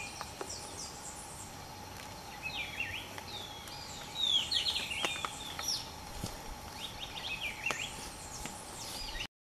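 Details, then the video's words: Velvet-fronted Euphonia, endemic, at Cerro Quininí near Bogotá, gives thin, high, rapid chattering notes in scattered bursts over a steady insect-like hum and faint background noise. "Velvet-fronted Euphonia"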